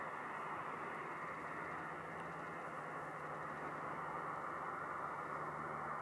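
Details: Steady broadband hiss and engine-like drone, as from passing vehicles or a train, in a December field recording from the Alblasserwaard; no animal voices.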